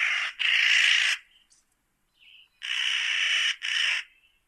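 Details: Spotted nutcracker uttering loud, coarse, rasping calls: one long call, a pause with a soft note, then two harsh calls in close succession.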